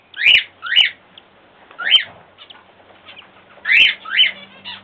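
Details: Cockatiel chicks being fed by their grandparents give harsh, rasping begging calls in quick pairs, repeated with short pauses.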